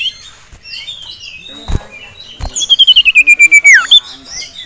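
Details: Male sirtu kept in a cage grows agitated at a rival and a female, with a common iora also present; scattered high whistles lead into a rapid, pulsing trill of about ten beats that slides downward at the end.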